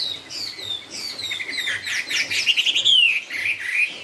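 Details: Chinese hwamei singing in the style called "cao cầu": a rich, varied run of clear whistled phrases, sliding up and down, with rapid repeated notes building to a loud rising-falling whistle near the end; low steady hum beneath.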